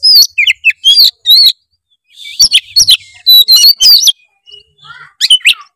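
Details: Oriental magpie-robin in full, varied 'gacor full isian' song, used as a lure to get a lazy bird singing: loud bursts of sharp chirps and high whistled notes in two dense phrases separated by a short pause, ending in quick chirps.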